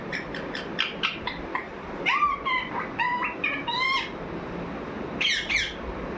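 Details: A parrot vocalizing indoors: a run of short sharp chirps, then drawn-out harmonic squawk-like notes that bend up and down, coming in bursts with brief pauses and a final pair of harsh calls near the end.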